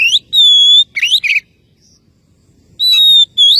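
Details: Oriental magpie-robin calling a rival: long level pure whistles alternating with quick rising and twisting slurred notes, a silent gap in the middle, then another steady whistle and rising note.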